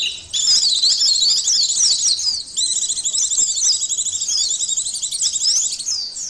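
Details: White-eye twittering for an emotion and arousal test: an unbroken stream of high, sharp, zigzagging chirps and rapid trills, energetic and steady throughout.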